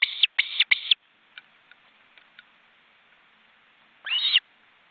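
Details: Osprey nest in an Estonian forest reserve, seen by webcam, with two adults and large chicks stretching their wings. Three loud, harsh, high chirps open the clip, followed by silence, then one longer shrill, squealing call.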